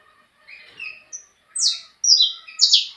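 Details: Saffron finch, a bred bird from a named sire and dam line, giving bright high notes: short descending sweeps and flat whistles, loudest toward the end, with a faint steady tone underneath.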